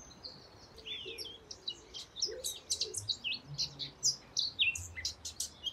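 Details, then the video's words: Male Eurasian blackcap song: it starts as a quiet, muffled, scratchy jumble of warbling notes, then grows louder and more confident into clear, loud fluting phrases, with light background hiss. "as he sings he gets more and more confident he gets louder and he gets less scratchy until he's singing this beautiful loud fluting song take a listen foreign so"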